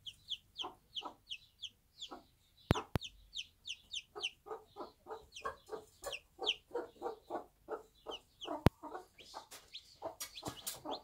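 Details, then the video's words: A Bantam hen with one-day-old chicks on a backyard smallholding: short, soft clucks, roughly two per second, under a busy layer of high, downward-sliding chick peeps, broken by a few sharp clicks. "Bantam Mom with her cute one day old chicks"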